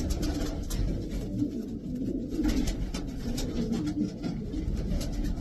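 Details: Racing pigeons of the Davy Van Roy line, twelve birds kept indoors, give low, rolling coos that overlap one another, with scattered clicks and shuffling noises from the loft.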